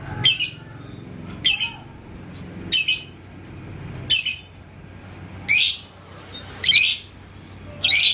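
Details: Yellow lovebird, called labet koneng, in Indonesia, stirred by a rival bird. Harsh, high chirp bursts recur roughly every second and a quarter, some ending in a brief whistle.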